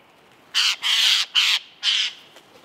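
A Eurasian jay gives four harsh, rasping screeches in quick succession, each under half a second, over a quiet background.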